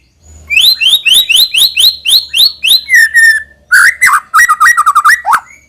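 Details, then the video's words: White-rumped shama song used to lure young birds into singing regularly: a loud run of about ten rising whistled notes, then a lower, buzzier stretch of rapid stuttering notes ending in a sharp upward note. "suara burung MURAI BATU UNTUK MEMANCING MB BAHAN AGAR RAJIN BUNYI DAN GACOOR |SHAMA BIRD"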